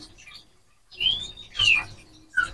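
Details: A male White-rumped Shama, in strong song and caged beside a female during pairing, courts her by calling: three clear, high whistles over two seconds, a long sweeping note, a bright down-slurred one, then a short final note.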